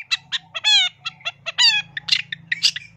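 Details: Persistent, richly varied long-tailed shrike song used as masteran tutoring and luring material: harsh, buzzy, harmonic rasps alternate with short clipped chirps, about one note per second, over a faint low hum.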